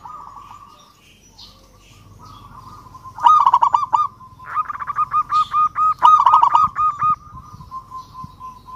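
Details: Local zebra dove answering a rival: near silence for three seconds, then a loud stretch of fast, evenly spaced rounded coos, about a dozen notes, fading into a faint level tone.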